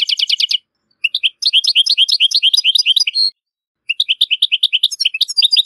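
European goldfinch singing a fast, tinkling twitter of bright chirps and trills, delivered in bursts with brief pauses; no other sounds.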